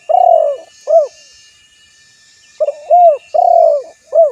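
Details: Spotted dove cooing: low, mellow hooted notes in two bursts, a long slurred coo followed by shorter rounded coos, separated by a pause of about a second and a half, over faint steady background hiss.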